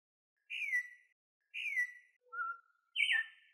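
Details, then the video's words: Venezuelan troupial song, used to teach birds and call others: four clear, rich whistled phrases, each slurring downward, about one a second, with no other sounds. "CANTO DEL TURPIAL"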